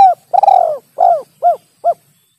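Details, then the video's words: Spotted dove lure call used for trapping birds: a long, falling, slightly buzzy coo followed by three shorter, rounded hooting notes, each clipped and evenly spaced, clean with no background noise. "SUARA PIKAT BURUNG TEKUKUR SUARA JERNIH SANGAT AMPUH"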